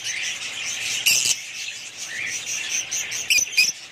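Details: Budgerigars giving continuous high, scratchy warbling chatter, with a few sharp, louder chirps standing out near the first and third seconds.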